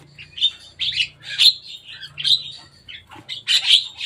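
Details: A Javan myna visiting a cage top chatters with rough, squeaky chirps and harsh, wheezy notes strung together almost continuously, with low hum beneath.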